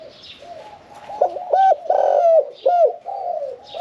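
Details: Medium-voiced caged spotted dove giving "khan yon 1 kuk" cooing: a few deep, loud hoots, one long and swelling, ending in a short bent coo, over quieter background cooing.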